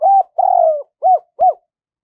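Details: Spotted dove decoy cooing to draw wild doves to the perch, giọng thổ style: a short coo running into a long wavering coo, then two clean arched coos, one with a sharp click.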